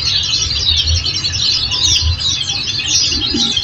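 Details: Oriental white-eye song played as a training recording to make caged birds respond: busy, high-pitched chattering twitter with quick overlapping chirps and a steady low hum behind.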